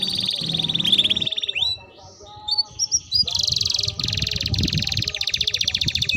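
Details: Canary singing vigorously, used as a lure to stimulate other canaries to sing: a long high rolling trill, a brief pause with scattered chirps and whistled notes, then fast buzzy rattling tours repeated rapidly, with faint low background rumble.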